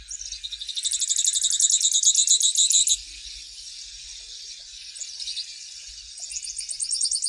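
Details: Grassland yellow finch singing a long, high, rattling trill of quick repeated notes for about two seconds, a quieter stretch, then another trill starting near the end.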